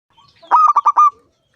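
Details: Five-year-old local zebra dove (perkutut) in Indonesia, a loud-voiced singer whose song is used to lure other doves into singing: one rapid phrase of four clear, mellow cooing notes, the last held slightly longer, preceded by faint soft notes.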